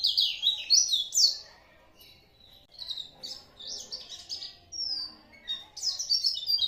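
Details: Oriental white-eye singing bursts of high, thin chirps and twitters, quick up-and-down slurred notes grouped in short phrases separated by brief quiet pauses.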